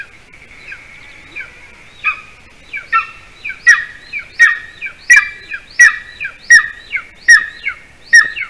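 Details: A golden eagle at a nest-cam in Latvia, 8:42 p.m., around the adult male's late prey delivery to the chick, gives a series of high, thin yelping calls, about one every three-quarters of a second, growing louder and more insistent.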